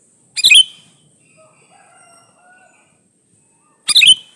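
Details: Male sooty-headed bulbul calling for a female, a lure for answering bulbuls: two loud, bubbly, rasping bursts about three and a half seconds apart, with soft faint whistles between.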